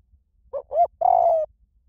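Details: Lure recording of spotted dove song in the 'small voice' style for training doves to coo back: one phrase of two short upswept notes, then a sustained, slowly falling coo. Nothing else is heard.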